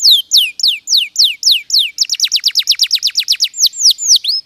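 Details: Canary (Serinus canaria), possibly a posture breed such as Yorkshire or Giboso, sings a rapid rolling tour of high, downward-slurred whistles, first slower, then a fast trill, then slowing again.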